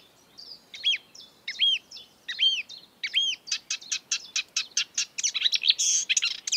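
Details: Marsh warbler in the wild: several arched whistled notes repeated about once a second, then an accelerating burst of clicking chirps and buzzy warbling.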